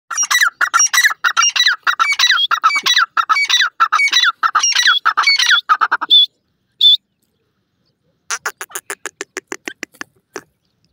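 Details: Wild grey francolin in the jungle: loud, harsh, squawking notes repeated rapidly in a dense run for six seconds, then two short high notes, and after a pause a fast series of clipped, evenly spaced notes fading out.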